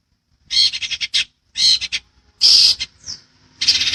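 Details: Long-tailed shrike in a training master recording: loud, grating bursts of rapid harsh notes separated by short gaps, including a thin slurred note, all sharp and scratchy.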